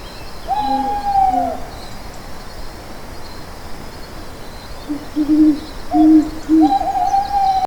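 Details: Owl calling: a higher, drawn-out wavering note opens, then low hollow hoots follow in a short series, and another long higher note closes, over faint background hiss.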